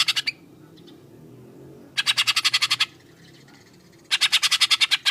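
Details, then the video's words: Green leafbird singing with imitated cucak jenggot material, harsh full-volume phrases; rapid bursts of about ten rasping, evenly spaced notes, each run lasting about a second, separated by quieter gaps. "Kolaborasi sangar kicau cucak ijo dan cucak jenggot"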